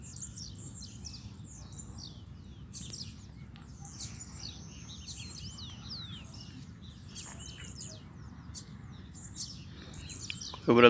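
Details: Caged rusty-collared seedeater singing several songs face to face with a female, delivering rapid high warbled and whistled phrases in bursts over a low background hum, ending in a loud clatter.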